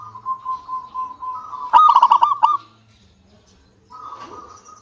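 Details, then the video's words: Local zebra dove singing as a lure for other doves. A soft steady trill leads into a loud rapid burst of pulsed notes, followed by a pause and a faint resumed trill. "PANCINGAN PERKUTUT LOKAL SUPER GACOR UNTUK PANCINGAN PERKUTUT AGAR CEPAT BUNYI"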